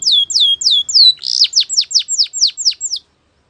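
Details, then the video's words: Canary training song, a clear trilled phrase of high, downward-sliding whistles about six per second, shifting to a brighter run of similar notes before stopping abruptly, with no other sounds. "The Best Canary Training"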